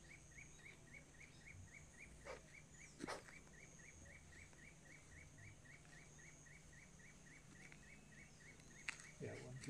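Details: A Spotted Puffbird (Bucco tamatia) in Amazon forest at Inírida, Colombia, gives a long, steady series of short, fairly high whistled notes, about three per second, over a low hum with a few clicks and soft voices.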